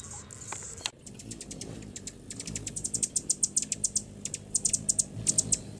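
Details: A hummingbird makes rapid, very high, thin chirps with its tail feathers: about twenty short ticks in quickening bursts over a low background hum.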